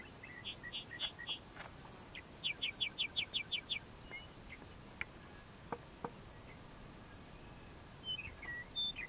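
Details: Lark bunting song recorded June 3, 2014 in a community pasture SW of Milestone, Saskatchewan, Canada: high buzzy trills mixed with fast runs of repeated clear notes over wind noise; a Western Meadowlark calls around 0:14.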